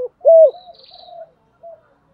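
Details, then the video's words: Spotted dove coo in the thổ sấm voice style, used as a lure for wild doves. One strong, clear hooting note is followed by softer trailing coos and a faint high buzz. "chim cu gáy kích bổi mới hiệu quả"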